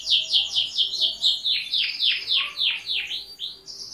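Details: Singing canary delivers quick high chirps, then slower descending swooping notes repeated about twice a second, closing with a high brief trill.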